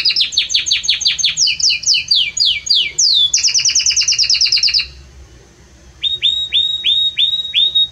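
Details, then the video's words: Belgian canary delivering a loud, warm song of quick descending sweeps and a rapid rattling trill, a brief pause, then a string of evenly repeated rising whistled notes. "Canto forte e muito quente deste Espetacular Canário Belga | Canary Singing"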